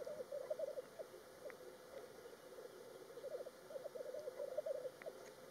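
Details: Black grouse in courtship display keep up a continuous low, bubbling, dove-like rookooing, rising and falling in rolling phrases, with a few brief sharp pops on top.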